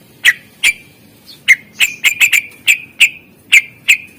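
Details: Greater green leafbird in a master recording for prompting reluctant birds to sing: a series of sharp, whistled chip notes with short ringing tails, about a dozen in four seconds at an uneven pace, some in quick pairs.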